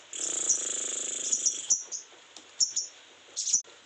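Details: Sogon in heightened breeding condition gives a long, high buzzy trill, then a few sharp, very high chirps spaced irregularly.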